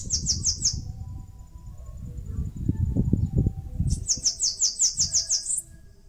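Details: Bananaquit nesting in mandacaru cactus, northeastern Brazil: a short burst of four high sibilant notes, a pause filled with low rumbling noise, then a longer run of about ten rapid thin notes rising at the end.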